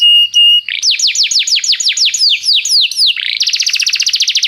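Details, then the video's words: Canary song for tutoring young birds: a brief flat whistle, then a series of loud falling notes repeated about four per second, followed by a fast buzzing trill. "professor para o seu canto canário em breve - o melhor treinamento canário"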